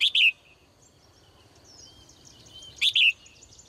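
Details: Female bird kept in a cage, calling in the morning: two short bright double chirps at the start and again near the end, separated by near silence with faint background noise.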